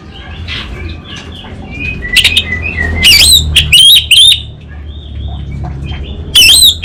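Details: Anis Bata orange-headed thrush singing with faint soft warbles at first, then loud wavering whistled phrases in short bursts, ending with one more bright wavering note.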